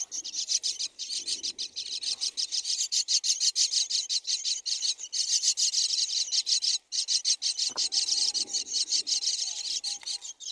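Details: Four myna chicks in the nest beg loudly as the mother brings food: dense, rasping, buzzy pulses repeated roughly three per second almost without pause, plus a faint brief squeak later.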